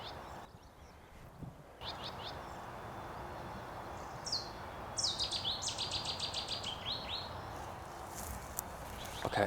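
A Cetti's Warbler bursts into its loud, explosive song of quick, high repeated notes lasting about two seconds, over steady wind-like background noise and faint other birds.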